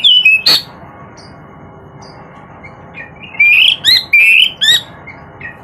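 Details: Singing Oriental magpie-robin: a sharp opening whistle, a lull with faint soft notes, then a rapid string of bright upslurred whistles and crisp clicks near the end.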